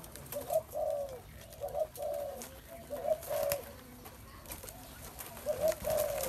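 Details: Spotted dove delivering soft, burry coo phrases, a clipped note then a longer drawn note, repeated at a relaxed pace over quiet background noise.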